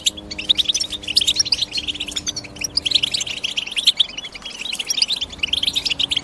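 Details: European goldfinch twittering continuously, its bright high chirps coming in quick clusters with a brief lull near the middle before the chatter picks up again.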